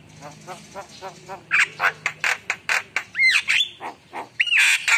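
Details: Javan myna in energetic, full song: a series of harsh, buzzy squawks repeated about four times a second, then clear whistled notes that rise and fall, then more rasping bursts. Fainter low chattering is heard at the start.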